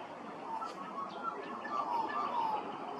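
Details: Australian magpie at Hervey Bay, Queensland: a few short, clear whistled notes, some gliding downward, spread over about two and a half seconds and heard faintly against a steady noisy background.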